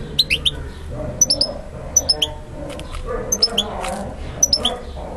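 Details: Male European goldfinch singing to a female, which accepts him; short high chirps in clusters of two or three, repeating about once a second over a steady low background hum.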